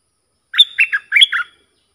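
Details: Bulbul training song for hand-fed chicks and young birds. One crisp phrase of about five lilting, warbled notes is heard in two quick groups, with no other sound.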